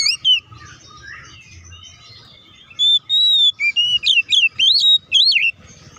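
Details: Oriental magpie-robin singing, used to provoke other magpie-robins into singing: after a quiet start, a run of loud, clear whistled notes from about three seconds on, some steady, others sharply swooping up and down, with a faint low hum beneath.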